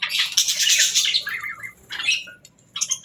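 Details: A pet parrot during its morning routine lets out a loud, scratchy squawk, followed by shorter chattering notes and a brief sharp call near the end, with quiet pauses between.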